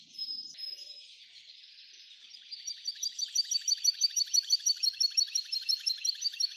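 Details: An F1 hybrid goldfinch begins with a thin whistled note and soft twittering, then builds into a loud, steady trill of rapid, evenly spaced chirps.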